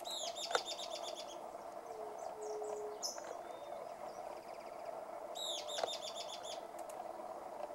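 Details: Euler's flycatcher recorded on 3 November 2020 at Santurce, Santa Fe: two bursts of rapid, burry, descending notes in quick series, separated by a few seconds, over a steady droning background hum, with faint other chirps between.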